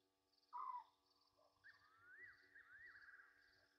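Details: Egyptian geese at night, 23:34 on 27 August 2023, at Gowrie dam waterhole on Djuma Game Reserve, Sabi Sand Wildtuin, South Africa, recorded by a live camera: one short loud falling note, then long wavering tones, with a soft insect-like pulsing and a steady hum.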